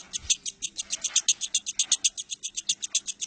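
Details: Lovebird, recorded 19 January 2018, giving a dense high trill of harsh chirping notes repeated about seven times a second without pause.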